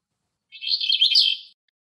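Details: Eastern black-eared wheatear, a male, sings outdoors in Greece: a single dense burst of about one second of fast, squeaky and scratchy twittering notes, high-pitched and jumbled, with silence before and after.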